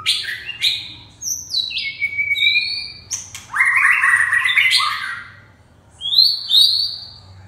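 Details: Red-whiskered bulbul song with bright downslurred whistles, a long burst of rich warbling, then a quiet gap and two high whistled notes, all over a faint low hum.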